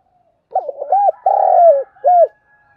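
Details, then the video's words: Decoy spotted dove cooing to provoke wild doves, used in daily decoy training: one phrase of low hooting notes, a quick stuttered start, two short coos, a long drawn-out coo falling at the end, then a final short coo; clean background. "Tiếng chim cu gáy mồi gáy gọi chuẩn để kích bổi tập mồi mỗi ngày"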